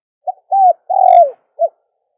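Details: Dove call used to lure doves: a short soft note, a smooth arched coo, a long coo sliding downward, then a brief closing coo, all low and mellow, with silence around them and no other sounds.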